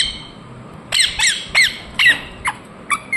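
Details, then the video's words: Ringneck parakeet giving a string of short, strident, descending squawks, ending in briefer, clipped calls with a small flat note. "Parrot Chirping sounds Natural Sound | Ringneck parrot Naturals Sound"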